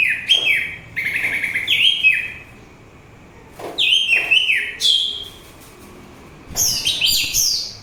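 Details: Orange-headed thrush song used for calming and luring: rich phrases of repeated downslurred whistles, some in quick pairs, then slurred high runs, in separate bursts with a quiet gap midway and a steady faint hum.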